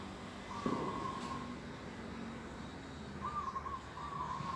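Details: Organic garden in the morning, 11 December 2021: a long level whistled note, a low thump, then two more drawn-out notes near the end, over a low hum.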